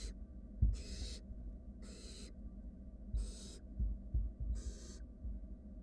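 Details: In a nest box, wild barn owl chicks cuddle while a sibling takes its time swallowing a rat; harsh airy hisses repeat roughly once a second, five in all, with occasional low knocks from movement.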